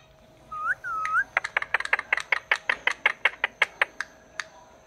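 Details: A pet talking parrot at home: two smooth whistled glides near the start, then a fast run of about eighteen sharp clicking chirps, roughly four per second, with a steady electrical hum underneath.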